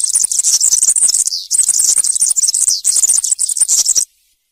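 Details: European serin singing campero-style song for educating young birds: a continuous, loud, very high-pitched rush of sizzling, jangling notes lasting about four seconds with only a brief dip in the middle.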